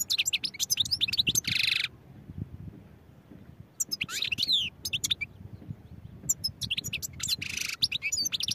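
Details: European goldfinch singing in repeated outbursts: rapid twitters and sliding whistles, each phrase broken by a thick buzzy block, with short pauses between bursts.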